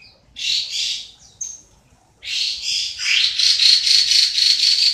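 Chinese hwamei singing rich, loud phrases of rapid, slurred notes, ending in a fast run of repeated whistles, about four a second.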